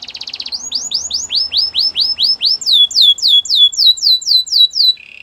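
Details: Belgian canary singing a fast buzz trill that gives way to loud, evenly spaced downward-sweeping whistles, about four a second, shifting slightly higher partway through and ending on a soft low trill.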